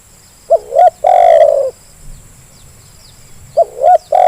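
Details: Call of a zebra dove, played to coax idle birds into calling: two quick hooked notes and a long vibrating coo, then silence and the same phrase beginning again; faint insect noise.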